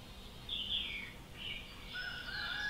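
Common nightingale singing clear, high whistled phrases: a bright note sliding downward, then a rising run of sweet tones, over a faint low background hum.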